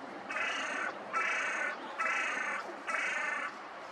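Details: Crows relaxing: four harsh, drawn-out caws in steady succession, each about half a second long, over a soft background hiss.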